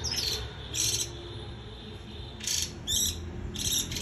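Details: Japanese white-eye singing líu choè: a few brief, very high twittering bursts with slurred whistles, spaced by quiet gaps of about a second, low hum beneath.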